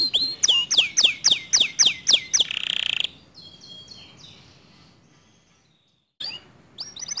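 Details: Canary song said to provoke other canaries into singing: a fast series of sharp, high descending notes repeated about four times a second, then a buzzy trill fading into faint twittering, a brief silence, and renewed notes.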